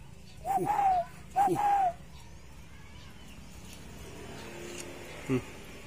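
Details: One of a tame spotted dove pair, kept for nearly a year, sometimes caged and sometimes released outdoors; two smooth coos, each a brief lead note sliding into a longer tone, followed by quiet background noise and a faint click.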